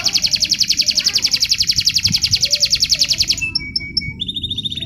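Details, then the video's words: Canary song used as contest training material: a fast, steady high trill that breaks into a few short, clear whistled notes and then a thin higher trill. "Materi Suara Kenari Lomba"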